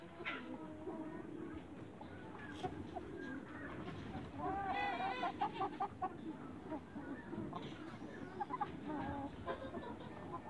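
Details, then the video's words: Young Light Brahma chickens in a backyard in Greece, giving a mix of clucks and a harmonic, wavering call in the middle, with a continuous low background din and scattered clicks. "CHICKEN BREEDS YOUNG BRAHMA LIGHT IN THE BACKYARD"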